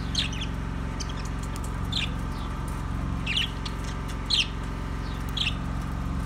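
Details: Budgie calls: scattered single chirps roughly once a second, brief and bright, with a constant low droning hum underneath.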